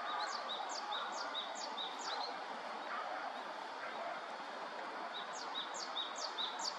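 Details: Great tit singing: a high thin note sweeping down into a clear lower whistle, repeated rapidly about every half second in two runs separated by a pause, over steady broadband background noise.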